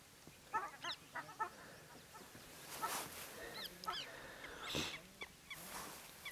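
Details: A red-wattled lapwing in Sariska Tiger Reserve, Aravali Hills, gives loud, shrill, piercing alarm notes in quick bursts, repeated several times over a few seconds, with a couple of rushing noise bursts.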